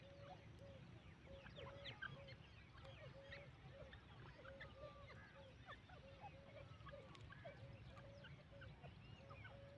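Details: Irani (black) francolin calling: short, harsh notes repeat roughly twice a second at a steady mid pitch, over busy chirping from many small birds and a low rumbling background.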